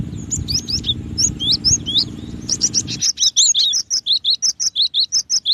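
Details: Cinereous tit (gelatik batu) with high, curling chirps over a loud low rumble that stops midway, after which a clean, steady, rhythmic run of sharp chirped notes continues.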